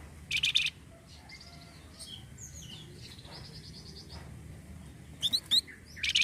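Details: Lure song of the flamboyan bird, played to make caged birds sing: a short loud scratchy chattering burst, soft high whistles and twitters in the middle, then more harsh rapid chatter and sharp notes near the end.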